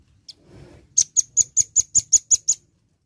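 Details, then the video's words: Velvet-fronted nuthatch, in lively song, giving a quick run of nine sharp, very high chips, about six a second, after a lone squeak and a soft rustle. "BUNYI BURUNG RAMBATAN PARUH MERAH GACOR"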